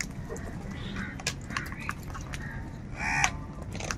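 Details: A crow among birds fighting for food gives one nasal, harmonic caw after a stretch of quiet clicks and faint background noise.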